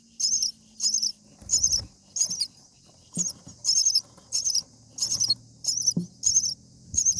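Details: Begging common myna nestlings, day 7, in the nest during feeding: short, sharp, hissing high rasps in separate bursts about every half second, over a faint low hum and occasional taps.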